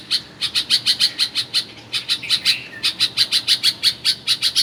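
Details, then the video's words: Bulbul singing at a family home in Karachi, Pakistan: a fast run of sharp, bright chirps, about four to five per second, broken by a short pause and one lower slurred note midway. "Bulbul Bird Singing"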